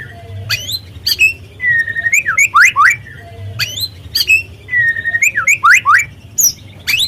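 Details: Spotted white-rumped shama, played to provoke other birds into singing; a phrase of sharp upward whistles and looping slurred notes, repeated twice, over a low steady hum.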